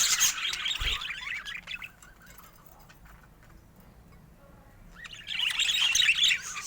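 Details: Pet budgerigars chirping in two bursts of busy, high warbling chatter with a quiet gap between them.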